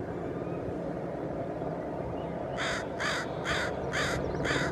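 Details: Northwestern crow (Corvus brachyrhynchos caurinus) in the Squamish River Estuary, Canada, giving five harsh, evenly spaced caws in quick succession over the last two seconds, after a stretch of steady low background rumble.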